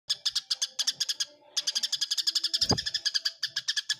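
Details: Eurasian tree sparrow fighting, giving rapid bright chirps in dense bursts, around four per second, with a short pause near the middle and a brief low thump later.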